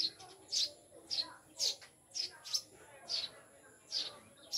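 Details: Newly caged pet Eurasian tree sparrows, known locally as maya and said to come from the mountains: a steady run of about nine short, shrill chirps, each roughly half a second apart, on a quiet background.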